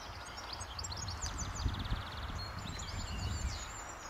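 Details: Eurasian wren in song at RSPB The Lodge, Sandy, Bedfordshire, early morning, May 2012: high, fast trilled notes and a rattling run, partly masked by strong hissing background noise and low rumble.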